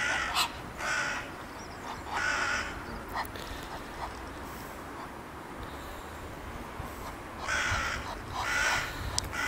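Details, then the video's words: During mating, Egyptian geese in February 2017 utter clusters of coarse, nasal honks at the start, in the middle and again near the end, with quieter gaps between. "paring nijlganzen"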